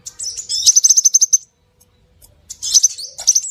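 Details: High, thin whistles from a scarlet minivet lure recording, including a rapid trill of repeated notes, then a short silence and a fresh run of looping whistles.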